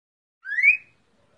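A cockatiel gives a single clear whistle, rising and brightening over about half a second, in imitation of a green-winged saltator's song; otherwise quiet.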